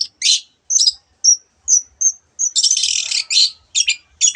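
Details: Long-tailed shrike in lively full song, rich in imitated calls of other birds: short high whistled notes alternate with harsh, buzzy, scratchy bursts, ending in a long rasping chatter and clipped chirps.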